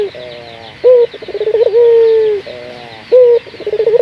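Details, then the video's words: Local puter dove call meant to spur other doves into cooing; repeated phrases of a brief bright note, a rapid stuttered pulse run and a drawn-out descending coo, with a quiet steady background hum. "Pancingan burung puter gacor, melatih burung puter lokal agar cepat gacor"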